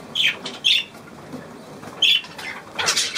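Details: Budgerigar giving short sharp high chirps, three distinct calls spaced apart, ending in a louder burst of scratchy squawking.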